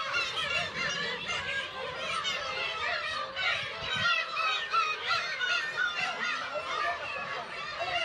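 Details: Kabushima, Hachinohe, Japan, in June: a colony of about 30,000 Black-tailed gulls with chicks fills the air with continuous overlapping mewing and squealing cries, some nearer nasal calls rising above the din.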